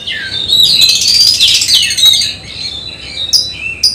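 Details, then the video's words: Oriental magpie-robin prepared for a singing contest at home, delivering a rapid, loud outpouring of high whistles and rasping notes that fades into a few thin, sharp chips. "Test Mental Kacer Persiapan Lomba Burung Berkicau"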